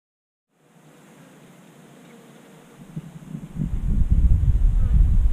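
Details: Near silence opens, then low rumbling wind and handling noise build steadily louder, with no animal voice heard.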